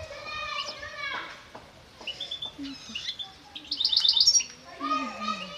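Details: European goldfinch pair kept for mating in a breeding setup in Constantine, gives quick, bright twittering and tinkling notes in short bursts, with a child's voice heard in between.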